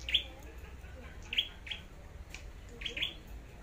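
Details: Scarlet-backed flowerpecker in Long Thành, Vietnam, singing competitively as a decoy bird, giving thin, high, clicking chips in three brief bursts about every one and a half seconds, over a low background hum.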